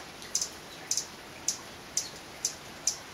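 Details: A male violet sabrewing (Campylopterus hemileucurus) sings on a rainy day in a Guatemalan cloud forest: very high, sharp doubled chips, six times about every half second, over a soft steady hiss of rain.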